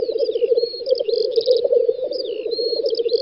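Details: Lek of black grouse in a spring field, western Russia, May 2019; rich rolling bubbling coos dominate throughout, with faint high whistles and a quick chirping trill from other birds.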